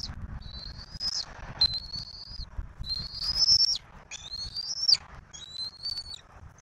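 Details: Wild bald eagles at a southwest Florida nest, 15 March 2024, with a turtle brought to the nest while the eaglet is fed: thin, high whistled notes rising slightly in pitch, given in separate short series, over low rustling.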